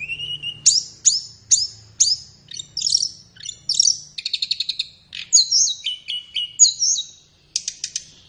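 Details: Flowerpecker master recording for teaching caged birds, suited to morning or afternoon: a low thin whistle, then a string of downward-slurred high notes spaced under a second apart, a fast rattling trill, and paired falling whistles.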